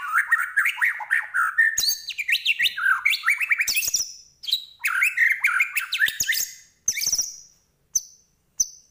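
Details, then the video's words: White-rumped shama of the Medan type in full, varied song: rapid rich whistled phrases sliding up and down, dense bursts repeated about four times a second, ending with a few short high sharp notes. "Murai Batu Medan Gacor Full Isian"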